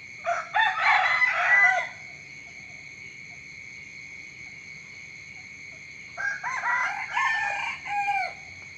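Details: Chicken crowing in the morning: two long, harsh, rising-then-falling crows about five seconds apart, each lasting roughly two seconds, over steady high-pitched background tones and a low hum.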